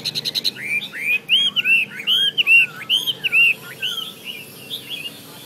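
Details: Chinese hwamei singing a lively run of loud, clear whistled notes, each a quick rising-then-falling slur, delivered in rapid succession after a few short high chips at the start.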